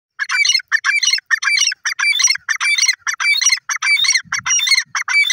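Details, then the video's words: Female grey francolin calling loudly in a fast, steady run of harsh, ringing notes, each a short burst repeated about every half second and packed with bright overtones. There is no other clear background sound. "grey francolin sound"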